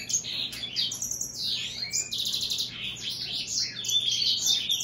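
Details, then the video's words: Hybrid of American goldfinch and European greenfinch in a dense, unbroken twittering song of high chirps, buzzy trills and quick down-slurred notes, with a faint low hum. "هجين الحسون الامريكي مع الخضري"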